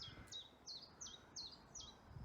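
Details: A chiffchaff singing on its breeding territory around scrub at Freshwater East, Pembrokeshire Coast National Park, Wales, newly returned from Africa: high, sharp notes about three a second, alternating slightly in pitch as 'chiff-chaff', over a faint low rumble.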